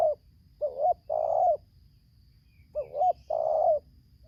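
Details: Low mellow cooing of a wild spotted dove (tekukur) in Lampung, Indonesia, answering a decoy during trapping, in tarik akar selang nguku style: two phrases, each a quick double coo and a long level croon.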